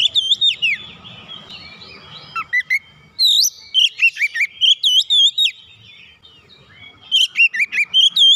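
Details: Agitated Oriental magpie-robin, roused on purpose, pouring out its isian: bright whistled phrases and sharp sweeping notes, a quieter gap, then dense strings of looping high whistles repeated in quick succession.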